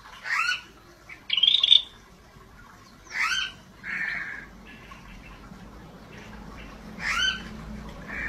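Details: Scaly-breasted bulbul, apparently kept as a singing bird, gives short harsh, buzzy squawking bursts with a brighter whistled burst near the start, separated by pauses of one to three seconds over a quiet background.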